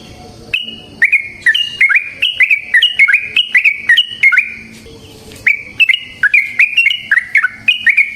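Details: Yellow-vented bulbul, locally trucukan, singing a long continuous rolling song used as a lure to prompt other bulbuls to sing; loud bubbling whistled phrases of quick up-and-down notes in two bursts with a short pause between.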